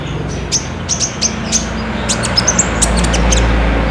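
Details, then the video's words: Olive-backed sunbird singing actively, a lure recording meant to prompt a caged bird to sing, taken with a Samsung J5 phone: quick series of sharp, very high chirps, about three per second, over a steady low hum. "PAKAI PANCINGAN KOLIBRI NINJA GACOR INI PASTI BUNYI"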